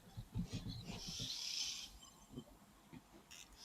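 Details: Oxpeckers on the back of a giraffe feeding on knob thorn flowers at an African waterhole on 20 August 2024 give a harsh, hissing buzz lasting about a second, with a few shorter rasps, over a low murmur of voices and rumble.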